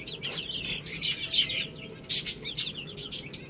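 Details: Chicks feeding on rice, giving a steady run of high, piercing, overlapping peeps, with sharp pecking clicks.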